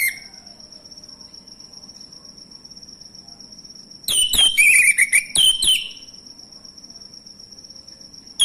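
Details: Male orange-headed thrush used as a singing lure: long quiet stretches with a steady high whine, broken by a two-second burst of sharp chirps and slurred whistles.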